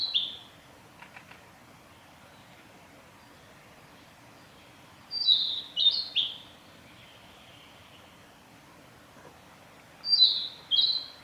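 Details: A male Narcissus flycatcher on the Hyuga forest road, 9 May 2021, sings short, high, clear phrases of quick downslurred whistles, in bursts of two or three notes every few seconds over quiet background hiss.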